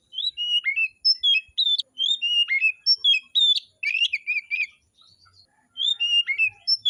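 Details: Oriental magpie-robin performing at a song contest: a near-continuous stream of loud whistles, rapid slurred notes and a buzzy jumble in the middle, a brief pause, then more clear whistled phrases.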